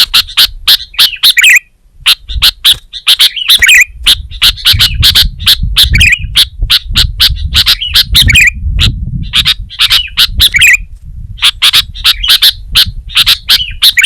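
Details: Long gacor bout from a sooty-headed bulbul (kutilang): fast, almost continuous series of sharp chips and squawky warbled flourishes, with short pauses near two and eleven seconds and low rumble throughout.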